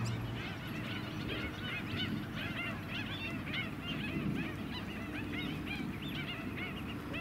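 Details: White-headed Stilt flock on mudflats at Scarborough, Queensland, in July 2017: a dense chorus of nasal, goose-like yapping notes overlapping continuously, with a steady low engine hum underneath.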